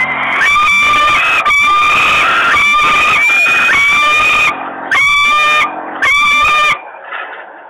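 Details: Hungry young common kestrels at a nest in Włocławek, Poland, in June 2021, screaming loudly as the mother arrives: harsh, drawn-out, shrill cries repeated back to back, cutting off abruptly in places.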